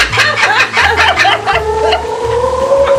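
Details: Laughing kookaburras (Dacelo novaeguineae) at Bee City Zoo in Cottageville, South Carolina, give raucous, rapid chuckling bursts of laughter that tumble over one another, with a steady low musical backing underneath.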